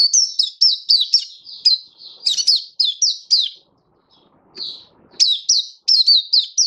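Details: Oriental white-eye, or mata puteh, singing its happy 'buka' song on 24 February 2023: a fast run of bright high chirps, each dropping in pitch, broken by a short pause before the burst resumes.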